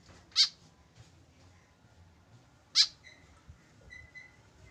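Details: Two loud, harsh, high-pitched notes from a lone tame white-breasted woodswallow without a companion, about 2.4 seconds apart, followed by faint thin whistles in the background.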